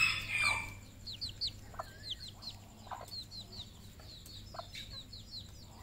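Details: On a red junglefowl farm in Cambodia, a loud, harsh fowl call opens, then a run of thin, high chirping notes about twice a second, with a steady low hum underneath.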